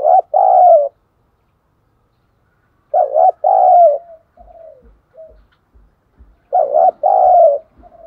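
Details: Lure spotted dove calling to provoke wild doves into fighting. Three low, rounded two-part coos, with soft quieter murmured notes between the second and third.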